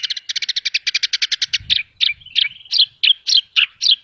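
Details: Horsfield's bush lark in vigorous song full of filler phrases: a rapid rattling string of high chirps, then slower sharp slurred notes about three a second over a faint whistle.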